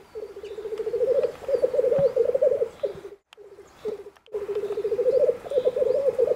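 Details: Black grouse cock at a spring display in the Bavarian Forest, Germany, giving sustained low bubbling rookooing in rapid pulses, broken by a brief silence before the rolling coos resume.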